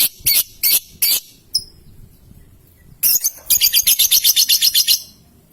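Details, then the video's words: Young lovebird, the kind kept to sing long ngekek chatter, giving a few loud high shrill bursts, a short pause, then a rapid run of sharp high notes about ten per second lasting roughly two seconds. "MEMANCING LOVEBIRD PAUD, PASTI BAKAL BUNYI NGEKEK NGETIK PANJANG SETELAH MENDENGAR VIDEO INI !!"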